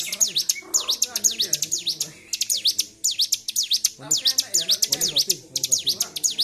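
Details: Agitated Bar-winged prinia on 26 February 2023 singing without pause: clusters of rapid, high, sharp chirps about two per second, with soft rumbling background noise beneath.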